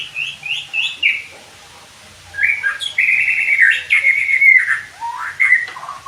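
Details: Song of a white-rumped shama meant to train birds: three rising whistles in quick series, a pause, then a sustained buzzy warble and downward-sweeping whistles.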